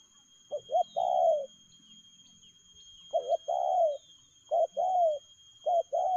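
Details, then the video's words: Spotted dove giving fast-paced 'lèo gù' coos: four phrases, each two short hollow notes followed by a longer, gently falling coo, with pauses between phrases and a few faint high bird chirps. "Nết chơi nhanh lẹ, gù tốc độ.Clip445/ Nước chơi lèo gù"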